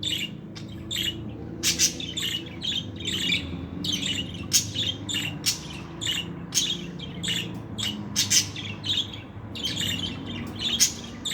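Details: A female budgerigar chirps in quick, scratchy bursts, rising and falling in busy, irregular chatter.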